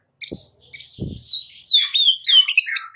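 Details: White-rumped shama singing in the morning, a fighting-practice song: bright whistled notes sliding downward from high to mid pitch in quick succession, with a couple of low thumps near the start.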